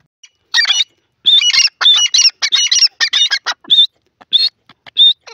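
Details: Grey francolin, the dakhni teetar, with female and male calling: loud harsh squawking notes in rapid bursts, some strained and ringing, repeated nearly twice a second, then thinning to a few spaced calls.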